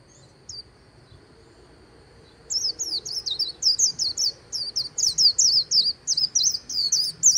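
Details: White-eye singing in the 'líu' style beside the Kỳ Cùng river: a faint single note, then after two seconds a fast run of high, thin, twittering slurred notes, rising and falling, delivered almost without pause over soft background hiss.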